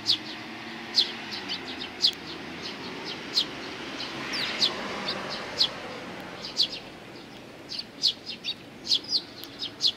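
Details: Sparrows approach to be fed on the front path of a Tenmangu shrine, 29 May 2020; a steady stream of thin, sharp chirps, loud and soft mixed, quickening toward the end, over a broad background rumble.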